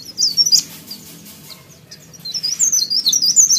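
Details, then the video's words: Sooty-headed bulbul in full song: a couple of sharp high chirps, a quiet pause, then a fast run of twittering, warbled notes toward the end. "PARE PARE GACOR"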